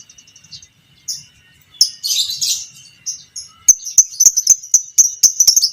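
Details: Pastel creamino lovebird, a fighter bird, in long ngekek chatter used to train other lovebirds; soft high notes build to a loud burst, then a fast train of sharp repeated ticks and squeaks.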